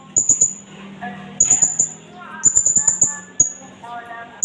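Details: Blue-crowned hanging parrot, native to Indonesia, calling as lure and tutor material. Clusters of sharp, high-pitched staccato chips with short pauses between, with a mosque loudspeaker voice audible in the background.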